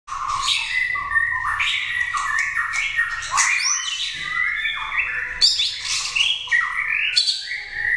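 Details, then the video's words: Caged prize-winning competition white-rumped shama, a winner in contests of 80 cages, prompted to sing: a dense, continuous stream of rich whistled phrases, quick upward and downward slides and sharp squeaky notes, varied throughout and loud. "Kích chòe lửa hót cực hay"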